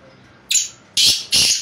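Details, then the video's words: Black francolin, known locally as kala teter, calling: three harsh, rasping bursts spread across a wide high band, each lasting about a quarter second, in quick succession over a faint steady background hum. "blackfrancolin kala teter"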